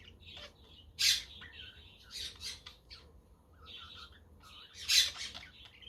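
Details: Budgerigars warbling on a windy day in sunshine, a quaker parrot and a conure also audible; soft looping chirps and trills framed by two loud, rasping squawks.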